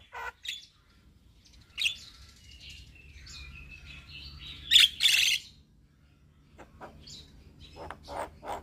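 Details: Black-winged starling song used as a lure to coax stressed or quiet captive birds into singing: scattered harsh bursts and thin whistles with gaps, ending in loud rasping notes and clicks.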